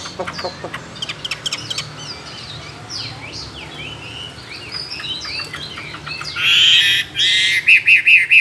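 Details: Tame caged Chinese hwamei, two years in a cage, a competition singer with many forest voices: a few sharp clicks, then varied swooping whistled notes that build into loud, sustained, bright warbling at the end.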